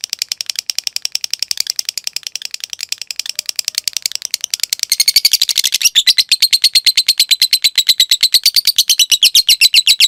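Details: Lovebird, a cage bird, in its long trilling song used to train others: very fast, high repeated notes forming an unbroken rattle that grows louder and sharper toward the end.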